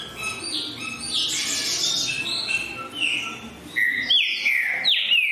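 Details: Green-winged saltator singing over a cluttered mix of other chirps, with clear loud downslurred whistles standing out during the final seconds.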